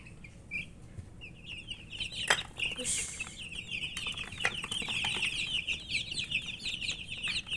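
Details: Baby chicken chirping from thirst for water; quieter at first, then a loud dense chorus of high peeps builds after a clatter and brief hissing noise.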